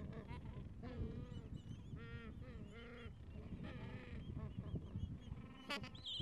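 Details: Gentoo penguins with chicks about two weeks old tucked under the mother in cold wind; short nasal braying notes recur every second or so, mixed with thin high chirps and wind rumble.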